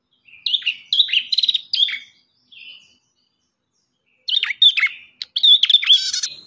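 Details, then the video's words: Ashy tailorbird (prenjak kepala merah) delivers two bursts of high, snappy chips and short trills separated by a pause of about a second and a half, with a soft buzzy note trailing the first burst. "MASTERAN BURUNG PRENJAK KEPALA MERAH"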